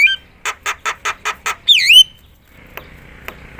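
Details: Javan myna giving loud song to excite other mynas: five evenly spaced harsh squawks, then a bright swooping whistle, followed by faint clicks.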